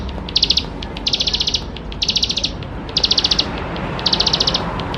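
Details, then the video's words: Bar-winged prinia in full, varied song used as a lure to make young birds sing; five evenly spaced bursts of quick, high buzzy pulses, about one each second. "Ciblek Sawah Gacor Full Isian Mewah || Untuk Pancingan Ciblek Sawah Muda Agar Cepat Bunyi"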